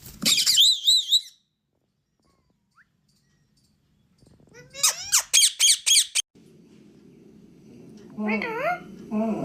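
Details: Captive rose-ringed parakeet giving a quick run of shrill, high squawks, then a pause, then another rapid burst of harsh calls, followed by low room hum and rising, warbled, speech-like notes near the end.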